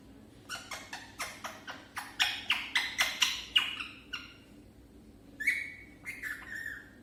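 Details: Parrot talking for the first time: a rapid run of about a dozen clipped, raspy syllables, then a pause and a few drawn-out, wavering squawks.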